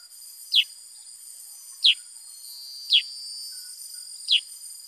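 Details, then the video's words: Black-headed bulbul singing actively: four sharp, downward-slurred chirps, spaced irregularly about a second or more apart, over a steady high-pitched whine. "Burung KUTILANG SUTRA GACOR Bongkar Isian ( Pycnonotus Atriceps )"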